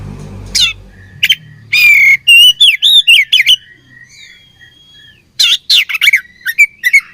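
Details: Oriental magpie-robin, a fighting bird: a rich buzzy note, then a string of looping whistled notes, a long thin glide, and a final burst of quick chirps and twisting whistles.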